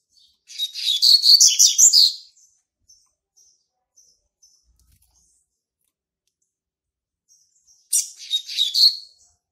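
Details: A young male Double-collared Seedeater, hatched March 2019, marks its territory with two bursts of fast, high twittering song, about 1.7 and 1 seconds long, separated by soft, thin, repeated ticks.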